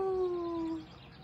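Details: A wild kaka, a native New Zealand parrot, visiting in the morning and eating bread gives a single clear, mellow whistled note under a second long, drifting slightly downward, over a soft background hush.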